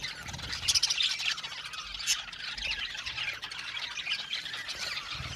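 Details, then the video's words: Aviary full of budgies producing a steady, moderately loud wash of high twittering and grating squawks, with a few sharper calls standing out above the constant chatter. "Budgie amazing chirping sound | Budgies calling sound to make him happy"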